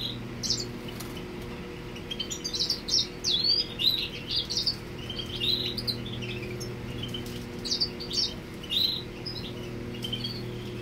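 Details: Male Grey Singer singing to a female: lively, high-pitched twittering and chirped phrases repeated throughout, quieter toward the end, with a steady low hum beneath.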